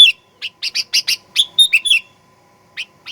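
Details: Sooty-headed bulbul song played to provoke aggression: a burst of chirps running into clear whistled slurs, fading to silence, then two lone chirps.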